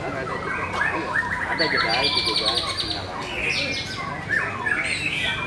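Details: White-rumped shama singing at a bird singing competition: rapid varied whistled phrases with sweeping up-and-down notes, overlapping songs from other competing birds, low steady hum underneath.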